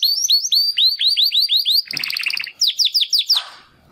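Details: Young Timbrado canary male practising song after his first molt, one of two brothers born in 2020's second breeding; series of repeated upward-swept whistled notes, a buzzy rattling trill, then more swept notes fading out.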